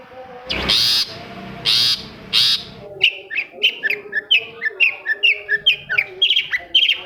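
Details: Long-tailed shrike song played as a lure to get silent shrikes singing again. Three loud, harsh, rasping bursts come first, then a rapid run of short, varied, sharp chirps and twittering notes.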